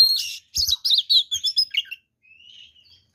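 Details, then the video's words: Oriental magpie-robin delivering aggressive, content-rich fighting song used to provoke rivals: a harsh buzzy opening, then a fast run of clear slurred whistles and chirps, trailing off into a soft, drawn-out whistle. "SUARA BURUNG kacer gacor TARUNG FULL ISIAN ini PALING AMPUH MEMANCING KACER LAIN JADI EMOSI"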